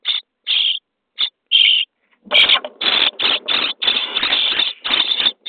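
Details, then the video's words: Common starling nestlings in a nest box on day 23, during feeding: a few separate raspy calls, then a louder, busier stretch of rough, almost continuous calling mixed with scuffling. "Szpaki w budce dzień 23 - karmienie piskląt"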